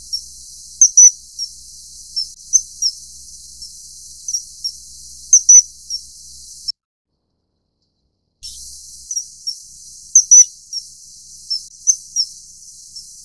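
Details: Common kingfisher (Alcedo atthis) mating: repeated piercing high whistles, loud doublets every few seconds between softer single pips, over steady hiss with one brief silent gap.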